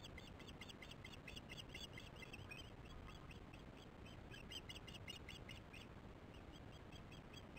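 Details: Osprey giving alarm calls at a nest while chicks are being fed: a long series of sharp, high-pitched chirps repeated about twice a second, loud at first then fading, with constant low background rumble.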